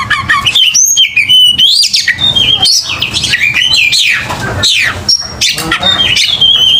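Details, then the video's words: Oriental magpie-robin in aggressive fighting song, used to provoke rival birds into singing: loud rising and falling whistles, quick slurred phrases and scratchy notes pouring out continuously, nearly without breaks. "KICAU KACER TARUNG NGOTOR"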